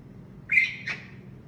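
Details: African grey parrot giving a short whistled call: a clear note sliding upward and holding briefly, then a softer second whistle, set against a quiet, low background hum.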